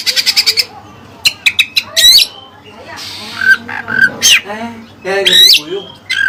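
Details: Oriental magpie-robin (kacer) with Cililin song material: a quick burst of repeated chips, then scattered squeaky whistles and harsh notes with pauses, moderately loud.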